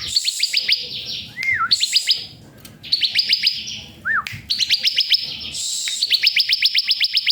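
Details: Bar-winged prinia singing in a bird-training masteran: long quick-fire strings of thin, piercing notes, about a dozen per burst, interrupted twice by a brief hooked whistle, then a final extended rattling trill.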